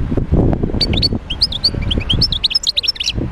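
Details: Song of a wild goldfinch recorded in Médéa: clear, tinkling, twittered phrases of short rising and falling notes, over low thumping handling noise.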